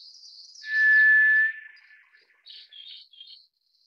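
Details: White's thrush, also called tiger thrush, giving one long, level, pure whistle of about a second, held on a single steady pitch, with a faint high hiss before it and soft scratchy sounds after it.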